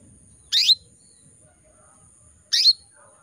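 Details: Female canary in breeding condition calling to males: two sharp, high chirps with a brief downward twist, spaced about two seconds apart, over a quiet background.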